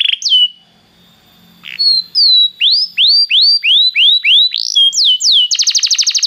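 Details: Belgian canary song meant to stimulate another canary: a few sharp whistles, brief pause, then a series of rising-and-falling whistled notes at an even pace, ending in a fast high rattle.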